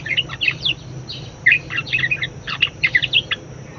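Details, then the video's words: Budgerigar chattering song for training other songbirds, short bursts of scratchy high chirps and squeaky warbles grouped in quick clusters with brief gaps between them. "BURUNG PARKIT PALING GACOR_SUARA MEWAH_COCOK BUAT PANCINGAN & MASTERAN"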